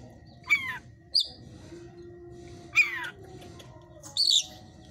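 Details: Oriental magpie-robin, 'hot type', caged at a breeder's place: a few spaced harsh, rasping downslurred calls and one short high note, separated by quiet gaps with low background noise.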